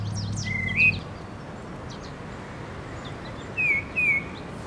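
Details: Tufted titmouse calling in spring, a tough male with messy feathers: a short upslurred whistle, then after a pause two clear downslurred whistles, with soft chirps of other birds and a brief low hum.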